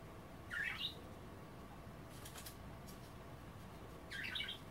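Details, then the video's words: Pet budgerigars, offered a kale bath that they skip in favour of nibbling the kale and water, give two brief bursts of scratchy, warbling chatter a few seconds apart over a steady indoor hiss with soft rustling between. "A day in the life of a Budgie - kale bath and chattering"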